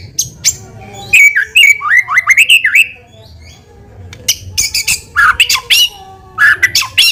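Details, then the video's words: Loud, lively white-rumped shama song used as a lure to provoke a quick response from other shamas: rich varied whistles and slurred notes mixed with harsh squawky bursts, delivered in three phrases with short pauses. "PANCINGAN MURAI BATU GACOR CEPAT RESPON LANGSUNG BUNYI"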